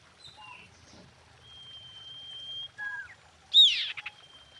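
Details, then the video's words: Female common iora calling the male: soft high notes, one long level thin whistle, a downslurred whistle, then a single loud sharp note with short echoing pulses. "PANCINGAN BURUNG SIRTU BETINA GACOR MEMANGGIL JANTAN"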